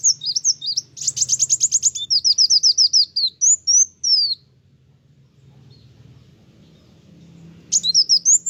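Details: Sunbird singing vigorously to provoke other birds: a long, dense series of high buzzy chirps and falling slurs for about four seconds, a quiet gap, then a renewed burst.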